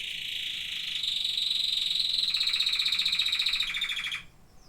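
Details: Singing canaries: a bright, high, steady trill of rapid repeated notes holds for about three seconds, slightly shifting in tone partway through, then stops abruptly, leaving quiet room tone.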